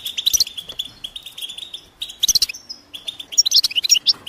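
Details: European goldfinch mating and readiness calls, called betbeta, meant to rouse silent males into singing: bursts of high, rapid twittering chirps with sharp metallic notes, broken by short pauses near two seconds.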